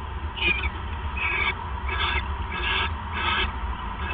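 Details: Owl at night on 28 December 2014 around 9:42 PM, as a male brings a third mouse; harsh, raspy hissing bursts repeat roughly every half to one second over a low steady hum.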